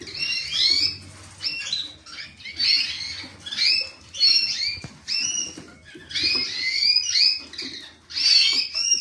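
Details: A creamino canary sings bursts of fast, high chirping and whistled slurs in roughly regular phrases about a second long, separated by brief gaps.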